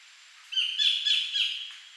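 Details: A collared kingfisher in Thailand, 2011, gives one harsh, grating, high-pitched, slightly wavering call lasting just over a second, with a few pulses of added loudness.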